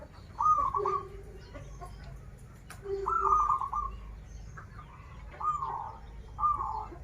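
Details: Local zebra dove from Banten singing in krital and warung kebek style: quick vibrating coos, each paired with a short lower note, phrases roughly every two to three seconds, with steady low rumble and scattered faint clicks behind.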